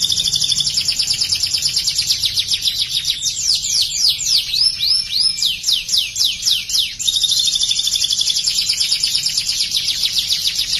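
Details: Canary in full, persistent song used as tutor material mimicking prinia phrases: a steady buzzy high trill gives way to a rolling series of chopped down-slurred notes, then the rapid trill resumes unbroken.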